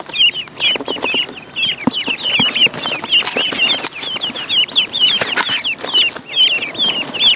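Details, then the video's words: Ducklings on a pond keep up a busy chorus of thin, twisting peeps, many birds overlapping almost continuously, against loud splashing and clattering noise. "Duck Sound duckling in the pond -duck quack"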